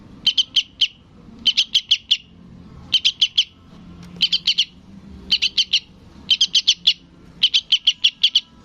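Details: Sooty-headed bulbul chick calling its parent, giving insistent bursts of three to five high, staccato chips, six bursts roughly every second and a half, with little else audible.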